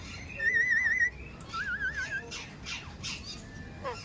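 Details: Talking parrot giving warbling, wavering whistled tones that rise and fall rapidly for about half a second, then a lower wavering whistle, followed by softer chattering, speech-like syllables and a short descending note.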